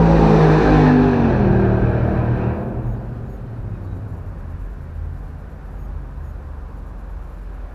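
A loud, rumbling vehicle or tram passes close by with a low droning hum, then fades to a quieter street murmur, with no animal calls audible.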